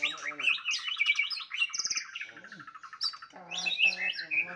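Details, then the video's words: White-rumped shama delivering a fighting song to rouse rivals: loud varied whistles and slurs, a high clear note, a brief rattle, then more rich phrases with deeper harmonic notes below. "murai batu tarung ampuh untuk menaikan emosi"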